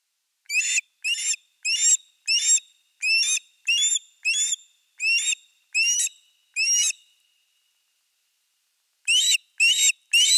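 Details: Ospreys at their nest with a fish in Finland on 4 August 2024: a steady series of about ten sharp, piercing whistled yelps, each rising then falling, a two-second gap, then three more.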